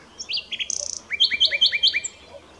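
A common nightingale's song phrase: a few varied notes and a buzzy trill, then a rapid series of five rich, sharply rising whistled notes.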